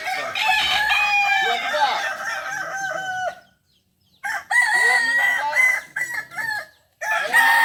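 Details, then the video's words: Kokok Balenggek roosters at a joint practice contest in Solok: long stuttering crows of many rising-and-falling stepped syllables, broken by a short silence before another stepped crow starts, with faint voices in the background. "latberan ayam kukuak balenggek di solok"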